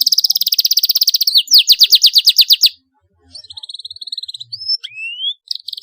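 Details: Canary singing to teach young birds to sing: a fast buzzy trill, a slower trill of downslurred notes, a brief silence, then a softer trill and rising whistles.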